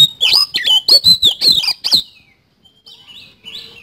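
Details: Oriental magpie-robin in full song with 'isian kasan' fill material, played as therapy to get magpie-robins singing: loud, rapid run of varied whistled and chattering notes for two seconds, a pause, then softer twittering phrases.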